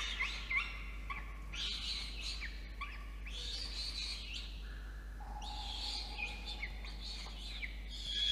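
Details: Nestling peregrine falcon calling for food as a parent brings its evening meal, 5 November 2021, in a box nest high on a water tower at Orange, NSW, Australia; grating screeches in clustered bursts with a few clear whistles, constant background drone.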